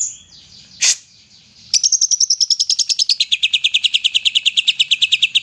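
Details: Greater green leafbird singing in the loud 'gacor nembak' style meant to coax idle leafbirds into song; one sharp sweeping note, a short pause, then a rapid machine-gun series of clipped notes stepping down from high to lower pitch.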